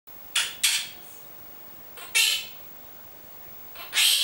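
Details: Pet monk parakeet indoors, a talking bird said to speak its own name and Italian words such as amore, bacio, vieni qua and levati. Three groups of short, harsh, bright syllables, spaced irregularly over a quiet room background.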